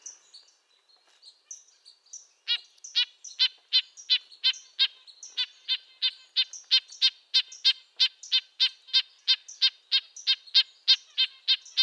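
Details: Red-breasted nuthatch (Sitta canadensis), its call likened to a tin trumpet: a long, steady series of short nasal, high-pitched notes, about three per second, starting softly and growing louder after a couple of seconds.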